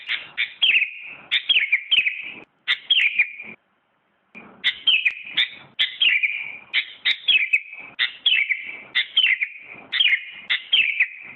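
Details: Sooty-headed bulbul, a 2017 contest champion, singing a steady series of loud, descending slurred whistles, grouped in twos and threes, repeated roughly every second with one short pause.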